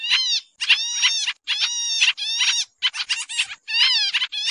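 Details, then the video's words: Noisy lure call of Sooty-headed bulbul used to attract birds for trapping. Loud, raspy chattering notes with stacked overtones come in tight clusters, with short pauses about every second, and some notes bending downward. "suara pikat kapasan kemiri/jarakan/cupon putih"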